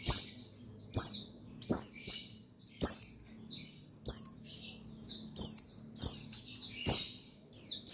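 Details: Male white-eye of the buxtoni type, recorded 8/8/21 and used to rouse singing: steady high chirps, each falling in pitch, repeated roughly every half second to second, with crisp clicks and a faint low hum.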